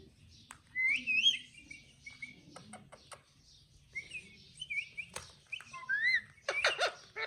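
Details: Pet parrot vocalizing indoors: looping whistled notes near the upper-middle range, a rising-falling squiggle at one second, then scattered short chirps and sharp clicks, ending in a burst of harsh broadband notes.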